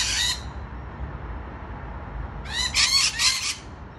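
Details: A rainbow lorikeet on a balcony gives a brief harsh squawk, then after a quiet gap a longer grating screech lasting about a second.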